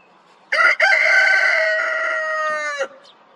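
A rooster crows: a short clipped opening note, then one long, strained, nasal cry held for about two seconds before breaking off sharply, against a quiet background.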